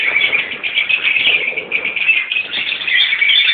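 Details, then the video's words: Mixed colony of Rosy-faced and Fischer's lovebirds, parents and young together: dense, continuous overlapping high chirps and shrill squeaks forming a steady chattering wall with no pauses. "Törpepapagáj (agapornis) kolónia"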